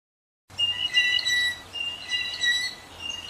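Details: Blue jay calls played slowed down: clear whistled notes with bell-like overtones, rising and falling in short phrases about twice a second, over a soft low hum.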